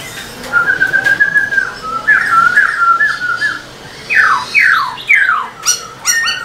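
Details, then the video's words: Black-throated laughingthrush, a caged bird singing while dancing its tail, used to stimulate other kept laughingthrushes: a long level whistle, then warbled phrases, then three sharply falling slurred whistles and a burst of clipped notes. "Khướu bạc má HÓT MÚA ĐUÔI cực sung"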